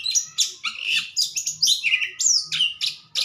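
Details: White-rumped shama in a cage, singing after the cover comes off: dense, loud high-pitched phrases of chips, slurs and rising whistles tumbling continuously.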